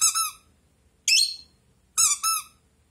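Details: Indoor blue rosy-faced lovebird responding to a toy duck with three loud, raspy, high chirps about a second apart, the last one doubled.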